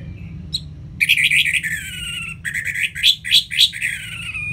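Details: Ngeplong-style song of an orange-headed thrush, played to coax reluctant birds into singing. A faint note, then a burst of varied, warbling whistles with a long falling slur and loud ringing notes, over a steady low hum.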